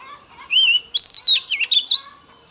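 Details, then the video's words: Female Oriental magpie-robin, used to stir up male birds: a short run of clear whistled notes, some rising and some falling, with brief pauses between the phrases. "Choè than mái kích trống hay nhất"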